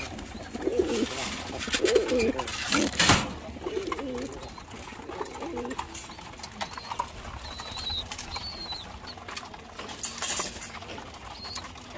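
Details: Hungry pigeons being fed in the morning, after a late feeding, give low, throaty coos, with clattering and a man talking nearby.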